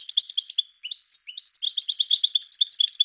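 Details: Goldfinch of the parva form singing a fast tinkling stream of high chirps and short trills, with a brief pause near the first second before the lively twittering resumes and continues steadily.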